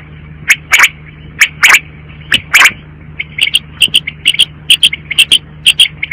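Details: Quail calling: a few loud, harsh rasping bursts in the first half, then a quicker run of short, clipped high notes, often in pairs, over a steady low hum.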